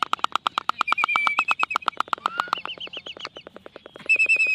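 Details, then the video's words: Courting black-footed albatross performing a dance ritual: fast, regular clattering clicks with a thin whistled tone threading through, ending in a brief, bright harmonic call. "Courtship Dance of The Black Footed Albatross"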